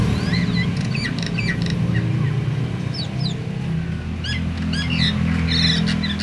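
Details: Myna with a song meant to set other mynas, even silent ones, singing: varied whistled notes and rising slurs in scattered bursts over steady low engine rumble.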